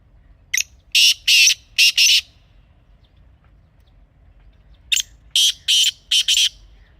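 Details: Grey francolin calling: two loud, harsh, grating phrases, each a short note followed by three or four rasping bursts, separated by about three seconds of quiet.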